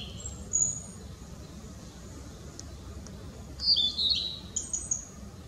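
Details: Blue-and-white flycatcher singing from a tree on 18 April 2016, newly arrived for the season: a few high, clear whistled notes, then a quick tumbling phrase of slurred whistles near the end, over a low background rumble.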